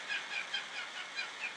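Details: A pet cockatiel in the background of a home gives short, high chirping calls, repeated a few times each second over a steady hiss.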